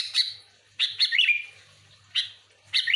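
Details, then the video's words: Sooty-headed bulbul in persistent song meant as a lure for its kind: short, bubbling whistled bursts, one of them a rolling three-note phrase, spaced by brief silences over a quiet hum. "Suara burung kutilang gacor full Asli,,cocok untuk pikat Kutilang ribut"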